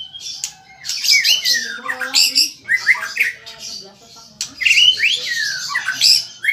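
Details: White-rumped shama singing vigorously, a varied run of clear whistles, downward slurs and harsh chattering bursts in phrases separated by short pauses.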